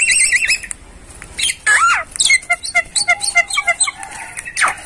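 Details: Tutor recording of Javan myna song for bird training: wavering buzzy whistles, a loud downslurred whistle, then a series of short clear notes against a steady thin tone.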